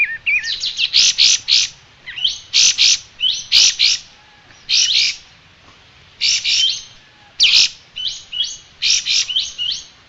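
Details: Striated grassbird singing as a model for training cage birds: grouped bursts of loud, rasping, buzzy notes, often introduced by an upward-slurred whistle, come in quick succession over a soft low background hum.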